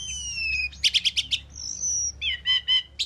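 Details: Asian pied starling singing and chirping: long high whistles sliding downward, then a run of rapid harsh chirps, another sustained whistle and further buzzy, repeated notes.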